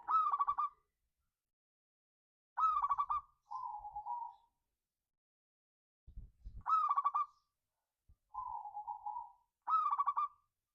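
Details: Zebra dove of a local strain singing a ngayer kerot nutut lure song to rouse other birds: quick rattling coo bursts alternate with smoother, lower drawn-out coos, the phrases returning every few seconds with quiet gaps between them.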